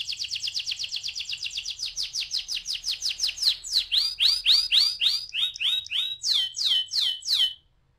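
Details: Canary singing a lure song meant to trigger rolling song: a fast, even trill of repeated notes that slows into louder, spaced, downward-sweeping whistled notes before stopping abruptly.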